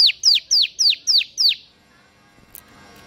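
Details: Ciblek, or bar-winged prinia, singing 'ngebern gacor' for tutoring idle singers: six loud, high, falling whistled notes in quick even succession, followed by quiet with a faint click.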